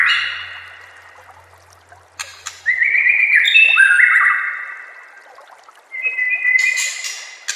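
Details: White-rumped shama master song: after a quiet start with a low hum, sharp ticks lead into smooth gliding whistles that step downward, then a pause before a brief rich burst.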